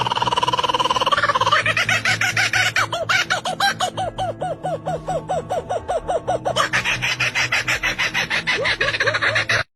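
A kookaburra's raucous laugh: rising chuckles burst into a long run of rapid, ringing 'ha-ha' notes, several per second, over a steady low hum.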